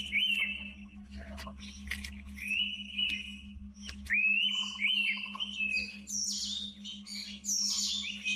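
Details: Wild Indian pitta deep in tropical forest, giving repeated clean whistled notes that rise then level off, about every second or so, later joined by higher twittering from other birds over a constant low hum.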